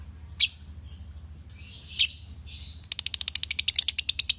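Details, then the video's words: Male and female lovebirds: a few scattered harsh, squeaky calls, then a sudden switch into fast rhythmic high chirping at about seven notes per second over a faint low hum. "Love Bird Jantan & Betina suaranya Bagussss"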